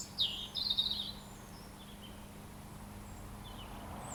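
A robin gives one brief, high, thin twittering phrase lasting under a second, then only a steady low hum and faint background hiss.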